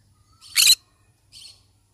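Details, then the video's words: Yellow-sided conure giving a single harsh, buzzy screech, then a brief softer chattering note. "Yellow sided conure parrot bird sound"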